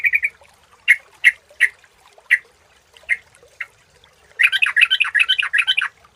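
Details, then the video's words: Sooty-headed bulbul used as a lure sound: a series of sharp single chirps spaced unevenly, then a quick bubbling phrase of tumbling notes at the end. "suara burung trucukan jernih jenis apapun 100% dijamin gacor_pagi_siang_malam dengan suara pancingan"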